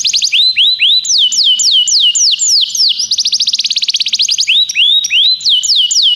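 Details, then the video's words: Loud, clear song of a tutor Belgian canary: repeated rising whistles, a series of downward-swooping slurs, a rapid rattling trill, then more upslurred notes in a steady rhythm. "professor Canário belga cantando muito - best singing"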